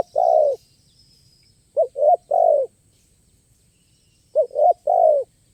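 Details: Crisp-voiced spotted dove at a luring location, its stuttering song played with variation. A long falling coo, then two phrases of two quick notes and a drawn-out descending coo, evenly spaced in a quiet setting.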